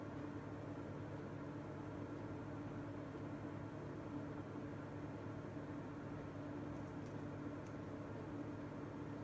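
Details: Low, constant engine-like hum under broad hiss continues throughout, and no animal voices stand out.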